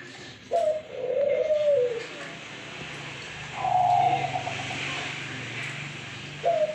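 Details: Zebra dove (perkutut) calling actively: drawn-out, smooth mid-pitched coos lasting over a second each, several spaced a few seconds apart, over a steady low hum.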